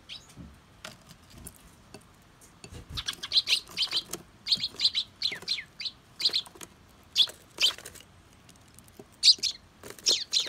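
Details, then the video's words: Eurasian tree sparrows, wild, squabbling over food after seeming to get along. Dense bursts of sharp, high chirps from about three seconds on, clustered and overlapping in quick excited runs, with brief pauses between bursts. "仲良くしてるのかと思ったら突然揉め出すスズメさん Eurasian tree sparrow"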